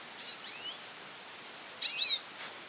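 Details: A goldfinch calls often, giving faint thin slurred notes followed by one loud, dense burst of high twittering chirps lasting about a third of a second, over light background hiss.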